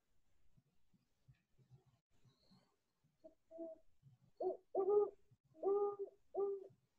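Great Horned Owl giving a series of four or five deep, mellow hoots in quick succession, possibly two birds answering each other; faint low room noise comes before.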